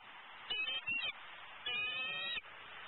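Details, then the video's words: Female eagle in Southwest Florida, around 11am on 12-11-14, calling persistently, impatient and hungry, while her mate eats a prey item in a nearby pond tree; two bursts of shrill, harmonic, chattering notes, the second longer, over faint background hiss. "SWFLEagles~Vocal, Impatient, Hungry & Pushy"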